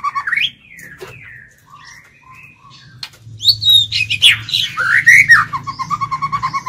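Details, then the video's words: Caged lure White-rumped shama singing to entice wild birds to fight: scattered soft whistles at first, then a loud jumble of sharp rising notes and squeaks ending in quick repeated lower notes. "Chích chòe lửa mồi hót gọi bổi"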